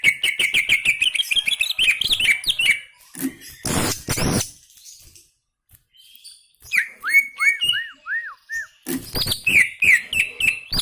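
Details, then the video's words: Greater green leafbird singing hard (gacor): a rapid rippling trill opens, then loud scratchy noise bursts and a pause, followed by a series of clear down-slurred whistles and renewed fast chatter. "BURUNG CUCAK IJO GACOR"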